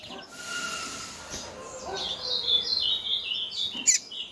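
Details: Female coleiro (double-collared seedeater) calling persistently to excite males: thin high chirps and a warbled, twittering run of high notes, with a sharp click near the end and faint background noise.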